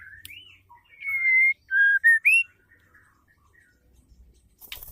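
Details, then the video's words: Female white-rumped shama, used to provoke male shamas into singing. Clear whistled notes, a long level whistle followed by shorter falling and rising notes in quick succession, then near silence with a brief rustle at the end. "DENGAR SUARA MURAI BETINA GACOR INI"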